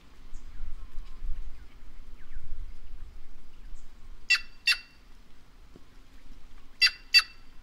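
White-naped jay giving loud, harsh, grating calls in two quick pairs, each note short and rasping, over a low rumble of wind.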